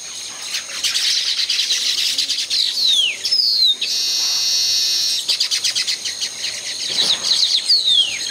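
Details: Nest-building Baya weaver in tropical surroundings, giving rapid high chatter broken by descending swept notes and a sustained buzzy wheeze near the middle, then more sliding notes toward the end.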